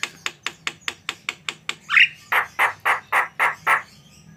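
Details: Javan myna in energetic gacor mode: a brisk series of dry clicking ticks, then a squawk and a slower run of coarse, rasping notes about every quarter second.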